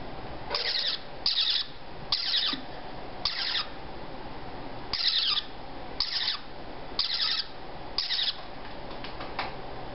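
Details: Baby parrotlets, 3–4 weeks old and all female, just starting to feed themselves, give harsh, raspy bursts of squawking about once a second, uneven in timing, over a steady low background hum.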